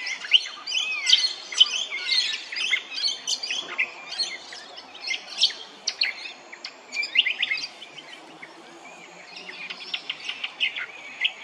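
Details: Brown honeyeater in Hervey Bay, Queensland, pouring out rapid, tumbling high chirps and twittering whistles, slowing briefly midway before resuming.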